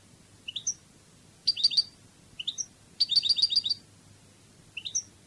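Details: European goldfinch in the Spanish Cádiz song style, delivering high, clear rising notes and fast repeated tinkling trills in bursts of three to eight notes, with short silences between phrases.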